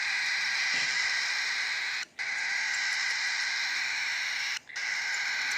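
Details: Baby cockatiel (Nymphicus hollandicus) being fed gives a steady, raspy, buzzing begging call.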